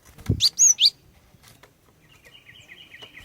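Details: Female cinereous tit luring males to sing with three clear, whistled high notes in quick succession after a low knock. A steady thin whine continues in the background.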